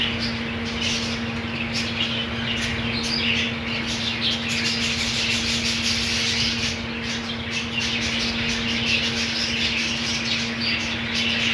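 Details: Budgie colony with green food, a long run of crowded warbling and chirping from many birds, with occasional sharp high notes and brief clicky bursts over a steady low hum.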